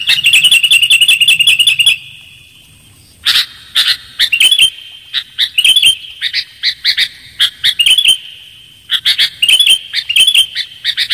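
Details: Lure call of a sooty-headed bulbul: a rapid ticking run opens, then after a pause come bright high chirps in pairs and small clusters, with a faint continuous hum.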